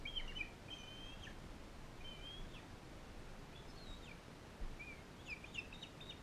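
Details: Bald eagle fostering scene at a care facility, a non-releasable female with an eaglet from Powell River: shorter high whistled and chittering notes in broken bursts, a few doubled, over quiet background hiss.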